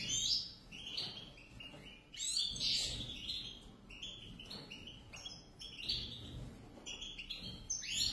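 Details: A pair of European goldfinches singing in bursts of rapid, tinkling twitters and buzzy chirps, each burst opening with a loud bright note, with a soft low hum behind.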